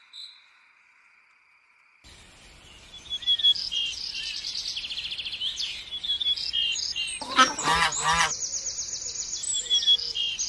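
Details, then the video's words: Red-headed macaw gives a harsh, raspy squawk lasting about a second amid steady high chirping and twittering from other small birds. "Red Head Macaw"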